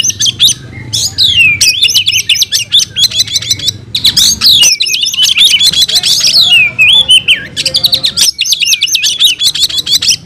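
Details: Oriental magpie-robin giving a long, loud fighting-style song, dense and hurried, mixing high rattling chirps with swooping whistles and brief wavering phrases. The bird barely pauses across the stretch.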